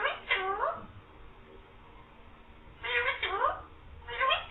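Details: A green parrot mimics a cat's "meow" and says "mian mithu": three groups of hoarse, sliding cat-like cries, the middle group a rapid double, with faint room noise between.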